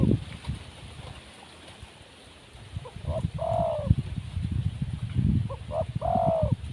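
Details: Wild spotted dove, described as lacking nerve, gives two cooing phrases: a few short soft notes, then a long, low, downslurred coo, repeated after about two seconds. Low rumbling and rustling noise runs underneath.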